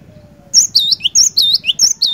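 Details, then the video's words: Cinereous tit giving a short run of bright, high whistled phrases, each a sharp note followed by a downward-swooping slur, beginning after a half-second of low hum. "Burung Glatik Batu Gacor, Cocok Buat Mancing Glatik Malas BUNYI"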